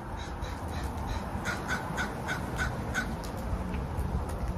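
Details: Crow calling a run of short, harsh caws, about six in a row roughly every third of a second, over constant low background rumble.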